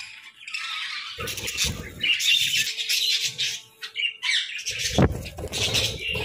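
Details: Budgies kept for breeding through winter give overlapping high chirps and squawky warbling. Bursts alternate with brief lulls, a faint steady hum runs beneath, and low thuds break in near the start and end.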